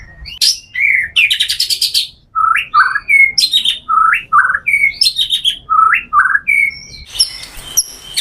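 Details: White-rumped shama giving its full repertoire of mimicked material, used as a lure for other shamas: loud, varied phrases of sharp rising and falling whistles, rapid stuttering bursts and crisp chirps, delivered in quick succession with short pauses.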